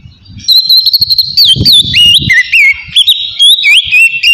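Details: Oriental magpie-robin singing a relaxed ngeplong-style song, used as a starter therapy to stir other magpie-robins' emotion and breeding drive: loud, clear whistled phrases with sharp rising and falling slurs and quick chattering notes, with faint low thumps underneath.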